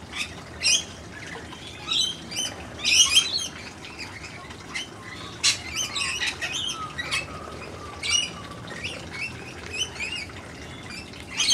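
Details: Family of Blue-faced honeyeaters visiting a garden in Brisbane, Australia, alongside noisy miners: scattered sharp squawks and chirpy notes, some in quick clusters, with short gaps between them.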